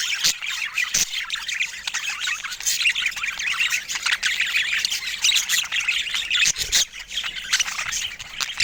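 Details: Budgerigars kept as pets chattering continuously: dense overlapping chirps, squawks and warbling trills, busy and high, with a few sharp clicks throughout.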